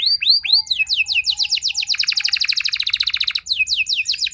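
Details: Canary singing a lure song meant to make other canaries answer quickly and sing long: a few rising whistled upsweeps, then a long rapid buzzy trill of repeated notes, ending in bright rising chirps.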